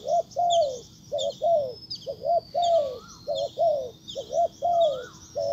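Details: Spotted dove used as a lure, cooing at a wild bird. Evenly spaced phrases of soft, low coos, each a brief double note then a longer falling coo. Scattered high chirps and a thin whistle from other birds.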